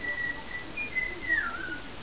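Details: A pet cockatiel whistles to a sun conure, apparently trying to charm it. It gives a clear whistled phrase near one pitch, ending in a brief rise and downward slur, over faint room noise.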